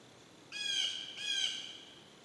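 Blue jay giving two harsh, nasal squawks about half a second apart, each rich in buzzy overtones, against a quiet background.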